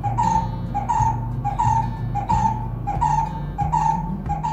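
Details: A male brown-headed barbet at an urban balcony birdbath gives his guttural call on arriving at the railing: a steady series of low, throaty notes, a little more than one per second, over a faint low hum.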